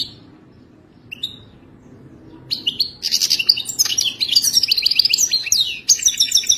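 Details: European goldfinch song for mating, played to help a captive goldfinch learn to sing: after two brief chirps, a rapid run of bright twittering and buzzy trills from about three seconds onward.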